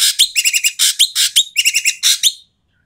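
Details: Asian pied starling producing loud, coarse calls used to stir silent starlings into singing: continuous rapid rasping notes mixed with short whistled squeaks, nearly three per second, ending abruptly.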